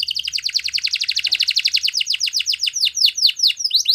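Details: Yellow canary in morning song, pouring out a fast run of downward-sweeping chirps, steady at first, then slowing into wider, more spaced swoops near the end.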